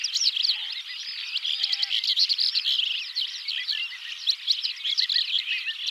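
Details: Larks singing at dawn around a yurt camp in the Central Asian steppe, a large skylark-like lark dominating; a dense, continuous chorus of fast, twittering, warbled phrases, with no low sounds.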